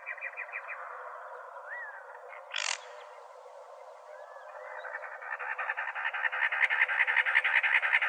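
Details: A cactus wren in Arizona gives harsh, raspy chugging notes in fast runs that swell louder toward the end, with a few soft slurred whistles and a brief noisy burst.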